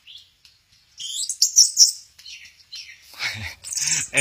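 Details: Orange-headed thrush at Kesamben, swaying in a 'goyang inul' display, gives faint soft notes, then a loud buzzy high phrase and warbling, ending with harsh noisy bursts and a low rumble.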